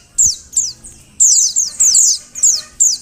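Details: Female Oriental white-eye calling, used to make males sing: short high thin notes, each sweeping steeply downward, given singly or in quick pairs and triplets with gaps between bursts; faint low murmur in the background.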